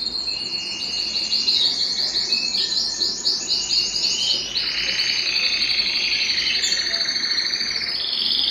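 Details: Belgian canary singing a warm-up song meant to stimulate singing and bring females into breeding condition; continuous high rapid trills and rolling buzzy phrases, shifting between pitches without pause.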